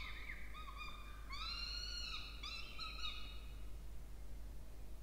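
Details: Two Peregrine falcon chicks in a nest box on a water tower at Charles Sturt University, Orange, New South Wales, Australia, 20 October 2024, being fed. Shrill, harmonic whining calls, some falling, some level, come in repeated bursts, with a quiet background.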